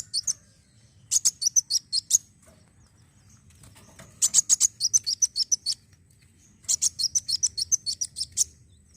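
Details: Sunbird song used as a lure to prompt other birds to sing: three quick volleys of thin, high-pitched tsip notes, each volley lasting about a second, separated by silent gaps over faint low background noise.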